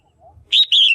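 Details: {'text': 'Single sharp two-part call of a female red-whiskered bulbul in a cage, used to stimulate males or for pairing, preceded by soft low background sounds; a short bright note and a longer wavering one.'}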